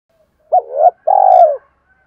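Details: A spotted dove gives a call meant to draw wild doves closer. One clear phrase: a brief wavering coo, a short gap, then a long, full, slightly falling cooo.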